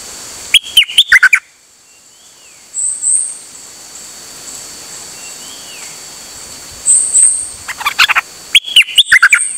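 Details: Recorded 8 September 2023, a dok taeng bird repeats choppy bursts of sharp descending whistles, while softer slurred whistles and high thin notes from other birds sound in the pauses.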